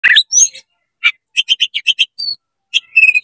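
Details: Oriental magpie-robin singing fast and energetically to provoke other magpie-robins: a burst of varied bright whistles and slurred notes, then a quick run of about seven short repeated chips and a high pure whistle.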